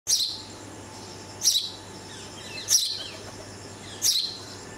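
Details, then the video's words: Red-vented bulbul fledgling, rescued after a cat raided its nest and moved to a first floor, being fed by its parents: four short, sharp high chirps spaced about every one and a half seconds over faint steady background hiss. "Red Vented Bulbul feeding its fledgling"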